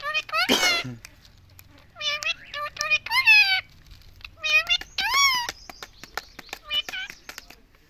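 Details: Rose-ringed parakeet, a talking pet indoors, repeating a word nonstop: harsh nasal syllables in short bursts with strong stacked tones, pausing about a second between phrases, plus one scratchy squawk at the start.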